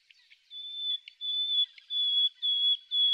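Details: Common nightingale (Luscinia megarhynchos) singing in spring: a few soft opening chips, then five long, pure, high whistled notes, about two a second, each swelling louder.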